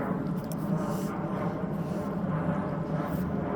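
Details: A steady low rumble like a passing vehicle or distant aircraft fills the clip, with no animal calls heard.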